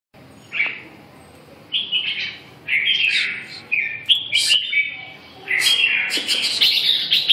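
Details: Red-whiskered bulbul singing: bursts of bright, warbled whistled phrases sliding between mid and high pitch, separated by short pauses, ending in a longer, busier run of chattering notes; a few sharp clicks.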